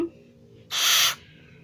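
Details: A tame barn owl in early glove training, grumpy while being tickled, lets out a single harsh, breathy hiss of about half a second, broad and noisy, in a quiet indoor setting after a faint short tone.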